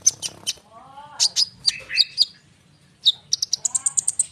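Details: Common iora pouring out a dense rolling song to lure young sunbirds into replying. Sharp high chirps and buzzy slurred notes come first, then a pause, then a quick accelerating run of bright repeated notes.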